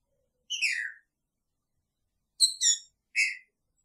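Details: Green-winged saltator kept in a cage with its female, producing a drawn, downward-slurring whistle, then after a pause a quick pair of notes and one more harmonic whistle.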